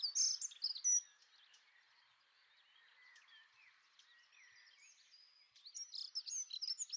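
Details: Dunnock song: rapid, high, jumbled warbling twitters in two bursts, at the start and again near the end, with a quiet stretch between.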